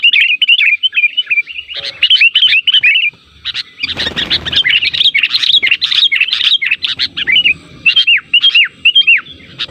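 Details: Sooty-headed bulbul calling as a lure for other bulbuls: long lively series of bubbly chirps and downslurred whistles, a brief rustling burst near the middle, ending in paired curved whistles.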